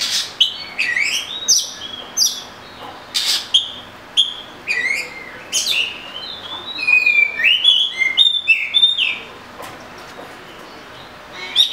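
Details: Oriental magpie-robin (murai kampung) in sustained varied song. Quick sharp notes alternate with sweeping whistles and trills, delivered in bursts over a continuous hiss.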